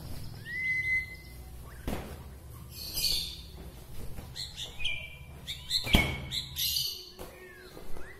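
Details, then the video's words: White-rumped shama from Bahorok, Medan, singing to arouse other shamas: a clear level whistle, then a string of varied high chattering and ringing phrases with several sharp clicks. "suwara murai batu Bahorok ini mengangkat emosi murai batu lain"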